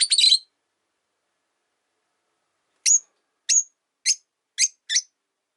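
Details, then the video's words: A cluster of harsh overlapping chirps from caged rosy-faced lovebirds, three sharing one cage by a window, followed after a pause by five short high chirps spaced about half a second apart. "Lovebird Chirping Sounds"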